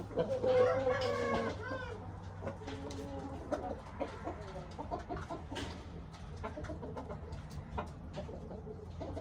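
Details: Young six-month-old Aseel rooster giving a loud harmonic call in the first second and a half, followed by a run of short repeated clucks and clicks, with a steady low hum throughout.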